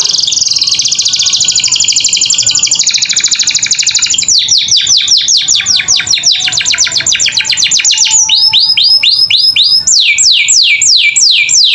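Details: Canary gacor song intended for young caged birds to learn: a sustained rolling trill, then rapid ticking notes and a run of strong descending whistles.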